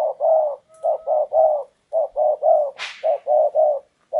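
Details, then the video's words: Decoy spotted dove calling from a tree to draw in a wild dove, giving steady low hollow cooing phrases of two or three notes about every half second, broken once by a brief sharp hiss. "chim cu gáy mồi cây"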